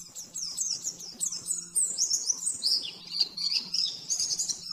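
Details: Fast nembak-nembak master song from an oriental white-eye for training caged birds. Busy, piercing twitters build into longer warbled runs that sag slightly in pitch, with a low mains-like hum throughout.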